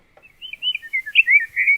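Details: A Scott's Oriole (Icterus parisorum) sings a quick run of rich, slurred whistles, about eight notes in under a second and a half, rising and falling at mid-high pitch.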